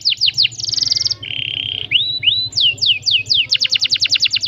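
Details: Canary in full, long rolling song with tight rolls and 'cuit cuit' notes: quick downward-sweeping whistles, a dense buzzing trill, a steady lower rolled tone, rising slurs, then more falling sweeps ending in a rapid trill.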